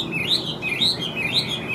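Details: Large yellow-legged, yellow-billed Chinese hwamei singing and flicking its tail the morning after a late-night arrival: a run of loud, clear whistled phrases that swoop up and fall, repeating about every half second.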